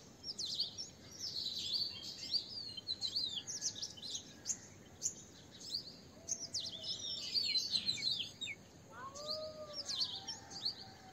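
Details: Little green bee-eater calling: dense runs of thin, high, chirping trills in repeated bursts, some overlapping as if from several birds, with a few softer lower whistled notes late on and constant low background noise.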